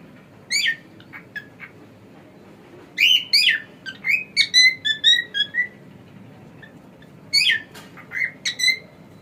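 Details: Male cockatiel kept as a pet, whistling a quick run of short clear notes after a few sharp chirps, pausing, then adding more harsh chirps and a rising whistle toward the end.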